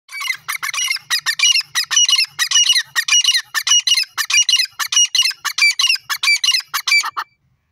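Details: Francolin, locally called teetar, giving a loud run of harsh, squawking notes in quick succession, about one and a half per second, for roughly seven seconds, then abruptly silent; quiet background.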